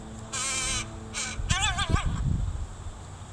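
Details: During a foraging lesson from mother to baby crow, 26 July 2019, two drawn-out raspy caws are followed by a quicker, wavy, rising-and-falling call, with low background rumble throughout.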